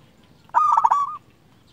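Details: A single rolling coo from a local zebra dove used to lure and excite other zebra doves, a quick cluster of pulsed notes ending in a drawn-out tone.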